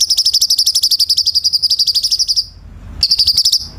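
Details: Cucak cungkok bulbul singing as a tutor for training caged birds: a long, very rapid chattering trill of about four notes per second, a pause, then the trill resumes.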